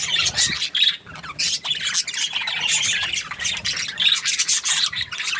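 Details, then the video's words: Budgerigar chirping, described as happy: rapid raspy, scratchy chatter mixed with short squawks, bursts coming in quick uneven waves. "Happy Budgie chirping sounds"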